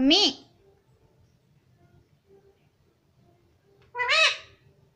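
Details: A pet parrot that talks, saying words like "mummy" and "papa": two separate loud, nasal, arched utterances, one at the start and one near the end, with a quiet room between.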